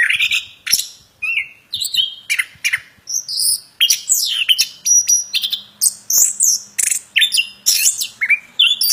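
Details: Plontang bird in full vigorous song, an unbroken stream of loud varied chirps, harsh buzzes and slurred whistles in quick succession over nearly nine seconds, with a faint low hum in the background.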